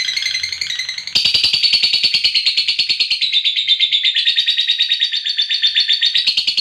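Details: Fighter lovebird giving the long 'ngekek' trill, used as a lure to make other lovebirds sing: a continuous, rapid, high chattering trill of fast pulses that runs unbroken for several seconds.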